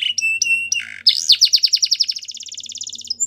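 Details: Belgian canary training song: a few pure whistled tones and a low buzzy note, then a long rapid trill of repeated syllables racing along, ending in a brief high whistle; faint low hum behind.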